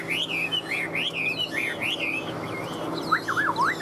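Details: Chinese hwamei kept in a cage in Vietnam, in breeding condition: wavering whistled phrases rise and fall in quick loops, pause briefly, then resume with sharper, steeply dropping whistles near the end. Light background hum.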